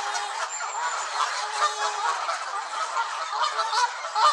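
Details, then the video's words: Several angry Canada geese at Elvaston Castle on 3-10-15 give harsh, nasal honks with a raspy edge, in a rapid, overlapping chorus of roughly two calls a second. "Angry Canada Geese"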